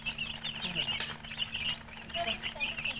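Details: Chicken chicks (murgi) peeping in a continuous high chirping chorus, with a brief sharp click near the middle and soft voices in the background.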